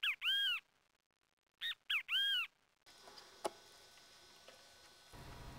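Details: A Great Kiskadee in the Texas Rio Grande Valley gives loud, nasal, arched notes: a quick pair, then a three-part kis-ka-dee burst, followed by faint background hum and a single click.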